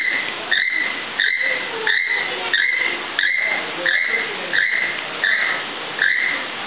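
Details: A captive male keel-billed toucan sings a courtship song to his female: a steady series of dry, croaking, frog-like notes, about one every two-thirds of a second, with a soft hiss behind.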